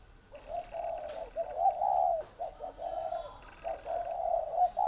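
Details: Spotted dove held at a bird farm in Ba Vì district, Hanoi, northern Vietnam, cooing almost without pause in a string of low, throaty, rolling phrases, each under a second, with a steady faint hum in the background.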